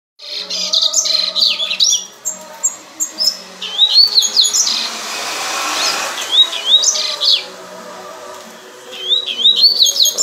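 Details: A double-collared seedeater, said to have been cold and then warmed up, sings rapid, bright phrases of wavy, rising-and-falling whistled notes in bursts, with a low steady hum and a brief rush of noise between.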